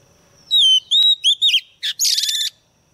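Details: Female white-rumped shama serving as a lure bird: clear sliding whistles and a sharp click, then a harsh, buzzy rattling note to finish.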